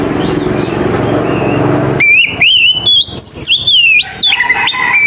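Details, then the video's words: Morning song of an Oriental magpie-robin: after two seconds of low hiss, a loud run of sweet whistled phrases leaps high and drops, quick notes repeated in short clusters. "TERAPI KACER PAGI HARI 100 PERSEN AMPUH KACER APAPUN AUTO NYAUT DAN IKUT GACOR"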